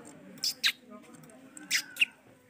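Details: Male ringneck parrot giving short, high, shrill chirps and squeaky notes in two pairs, with a quiet background murmur between them.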